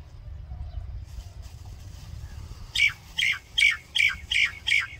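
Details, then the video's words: Common myna singing: after a quiet start with low background rumble, six harsh, squawky notes come in a steady series about every third of a second, each a rasping burst with a brighter whistled core. "Common Myna Bird Song | Common Myna Sound | Common Myna Call | Indian Mynah Sound | Myna Singing"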